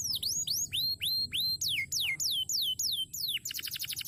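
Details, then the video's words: Crested canary song of clear whistled notes, each sweeping up then bending down, repeated about three times a second, ending in a quick dry rattling trill over a faint low hum. "Burung Kenari Jambul Gacor Durasi Panjang"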